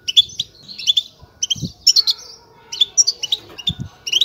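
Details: European goldfinch chick giving high, thin, chirping begging calls in quick bursts of two or three notes. Faint low thumps sound in the background.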